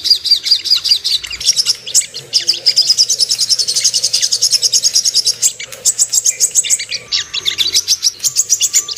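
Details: Sung by a Ruby-cheeked sunbird, a recording used to make birds aggressive and aroused, with rapid, high, buzzy twittering in long dense trills and a few quicker chipping sequences.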